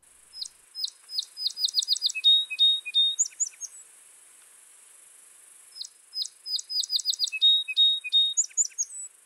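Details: Song sparrow (Melospiza melodia), a species that sings nonstop in summer, singing twice: a few clear introductory notes, then a quick run of sharp chips and a buzzy, jumbled ending, high and bright.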